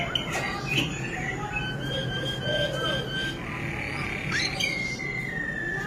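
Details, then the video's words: A Malinois Waterslager canary sings long, sustained whistled notes with rolling, bubbling phrases over a steady background hiss. "Malinois Waterslager Canary Singing"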